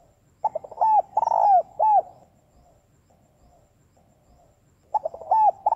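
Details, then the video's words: Spotted dove female calling to excite males, its loud cooing phrase given twice: a few quick stuttering notes, a sustained rich coo, then a short closing coo, with faint low murmurs between phrases. "Cu gáy mái gáy gọi kích bổi nhanh nổi hiệu quả mới nhất. tiếng chim cu gáy mái kích bổi nhanh nổi."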